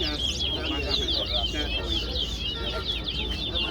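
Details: Seed finch (towa-towa) singing in a competition bout at Guyana National Stadium: a fast, unbroken stream of high, sweet twitters and warbled trills over a low murmur of crowd noise.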